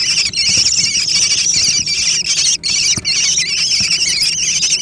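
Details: American kestrel nestlings in a noisy food fight, loud unbroken shrill squealing with trilling, wavering high notes from several young at once, briefly pausing twice; occasional light knocks.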